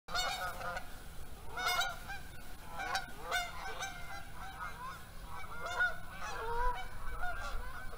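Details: Geese flying south on the first day of fall, a flock giving repeated nasal honks, many overlapping and irregular, some louder and closer, with faint background rustle throughout.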